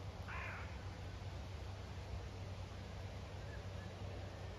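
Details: A hooded crow gives one short, harsh, hoarse caw near the start, then steady low wind rumble, in a farm field in County Kilkenny, Ireland, where the crow was hanging out with a lamb; another hooded crow was nearby.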